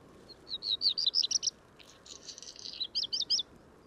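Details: A Black Redstart at Portland Bill on 6 April 2021 gives quick bursts of high, thin, slightly scratchy notes, two rapid runs over a few seconds, with a soft background hiss.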